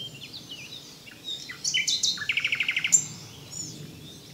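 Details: Song of the common nightingale: assorted short whistles and chirps leading into a rattling trill of about ten quick, evenly spaced notes, ending with a sharp high note and quiet pause.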